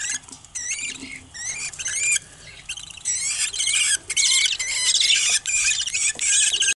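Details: A clutch of pet budgerigar chicks calling in dense runs of shrill, rising and falling squeaks, bursts of rapid chirps broken by brief silences, several young birds calling together.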